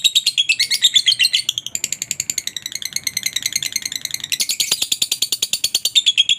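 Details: Continuous high, rattling chatter from a lovebird, a call meant to encourage other lovebirds to sing. The fast pulses shift in tone and become louder and harsher toward the end.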